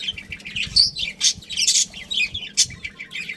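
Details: Breeding pair of budgerigars in a family group giving quick, irregular high chirps and short whistled notes, about one burst per second, mixed with scratchy twittering.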